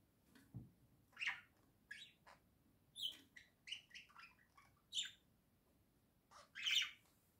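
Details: Two caged budgies at home, one settled in a little house while its mate stays alongside, chattering in uneven chirpy phrases mixed with harsher squawky notes and short pauses.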